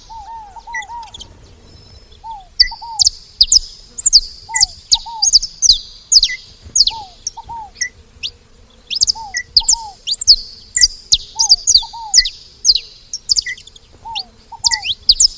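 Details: Saffron finches at a feeder, opening with low paired curved whistles, then an increasingly dense run of piercing high downslurred chirps and short tweets.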